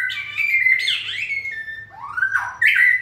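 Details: Cọp Biển, the white-rumped shama, brought into 'fire' form for the 2020 season, pouring out loud sliding whistles, a swooping rise and a bright, harsh flourish with no pauses.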